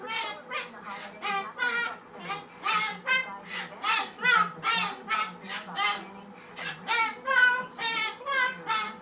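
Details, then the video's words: A male pet umbrella cockatoo sings while dancing to his own beat, giving a rapid run of hoarse, harmonic, voice-like notes, about two or three each second, over a steady low hum. "Umbrella Cockatoo dancing and singing to his own music"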